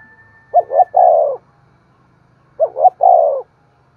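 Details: Spotted dove coos played to prompt other doves to coo and call: two three-part phrases two seconds apart, two short upslurred notes then a long, slightly descending coo. A steady thin tone hums faintly at the start.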